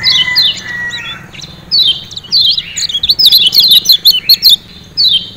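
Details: Lombok lemon-bellied white-eye, or kecial kuning, with the ciak ciak call used to get captive birds singing. A few thin whistles and chirps speed up into a dense, twittering burst of quick, high, falling notes.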